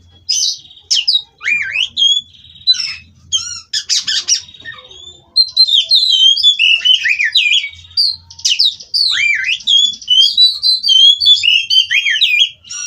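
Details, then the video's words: Captive-bred White-rumped shama from Cirebon singing continuously: sharp down-slurred whistles and clicks, then a long busy stretch of warbles, trills and swooping notes. "Kacer Ini Ngerol Tanpa Henti"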